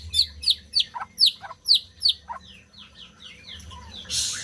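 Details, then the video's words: {'caption': 'White-rumped shama song, played to stimulate silent birds to sing: a run of sharp, high downslurred notes repeated about every third of a second, then a softer trailing series of lower slurred notes and a burst of noise at the end.'} "SUARA MURAI BATU BUAT BURUNG MACET BUNYI"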